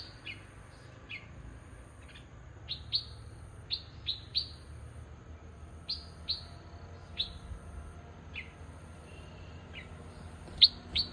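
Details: Bulbul chirps repeated irregularly, short high notes sometimes paired, with a louder burst near the end, over quiet background hiss.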